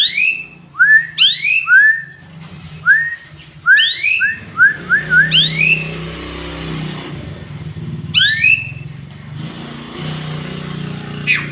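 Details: Singing male Asian pied starling (jalak suren), a tutor bird with filler-rich song: sharp upswept chirps and short whistled slurs in loose bursts, over a steady low hum and faint background noise.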